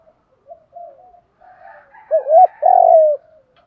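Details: Spotted dove, calling to train and provoke decoy doves; soft murmured lead-in notes build to a wavering double coo and a long, loud, slightly falling coo at the end.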